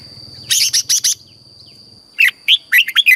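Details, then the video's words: Red-whiskered Bulbul recording from Thailand, southern master song style, used to excite caged birds and teach young birds: harsh broadband bursts with a low buzz, then a quick run of clear, looping whistled notes. "เสียงนกกรงหัวจุก สำหรับต่อ หรือ เปิดให้นกคึก"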